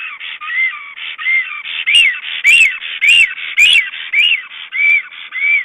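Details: Black stork at an Estonian nest during a visit: a series of whistled, arching calls repeated about every half second, with several sharp broadband clicks in between.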